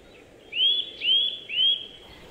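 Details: Eurasian nuthatch calling: three clear, rising whistled notes, each swept upward and spaced about half a second apart, over faint background hiss.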